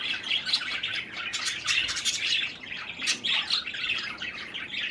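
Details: Parakeets feeding on cherry tomatoes chatter continuously with loud, rapid warbled chirps and twitters throughout.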